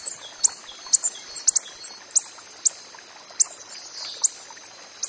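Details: Coppery-headed emerald, a hummingbird recorded in the wild, uttering about ten brief piercing high chips at irregular intervals, a few in quick pairs, against a constant thin background hiss.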